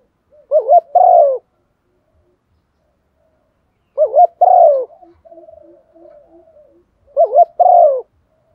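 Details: Three well-patterned coo phrases from a decoy spotted dove used to draw calls from others, each two short wavy notes and a falling coo, with soft low notes in the pauses between.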